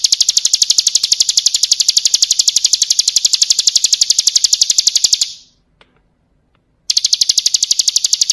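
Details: Bar-winged prinia in 'ciblek kristal' style, for song training: a long, unbroken machine-gun trill of high piercing notes for five seconds, a short silence, then the trill returns.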